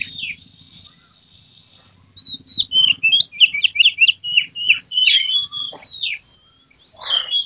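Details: White-rumped shama giving an emotional tail-spread display, after a faint quiet stretch bursting into rapid slurred whistled notes, sharp downward phrases and high buzzy notes, with a low background hum.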